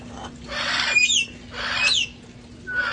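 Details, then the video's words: A flock of parrots out in the open air, having fun before the cold set in; two long, loud, rasping squawks with bent whistled edges, then a third begins, over a low steady hum. "sounds of parrots having fun outside enjoying life"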